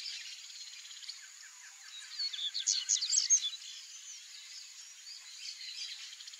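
A male Double-collared Seedeater gives a quick burst of high, twittering notes mid-clip over a steady high insect-like hiss.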